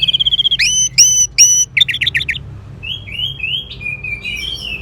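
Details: Orange-headed thrush song: a run of rapid high trills, then clear whistled notes with sharp upward flicks, a burst of quick stacked chips, and finally sliding warbled whistles, all loud and varied over a low background hum.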